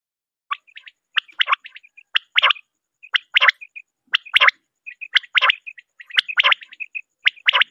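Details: Common quail (batair) calling, a recording used for hunting at dawn: clustered chirpy notes with a sharp central burst, each group repeated roughly once a second, against a silent background.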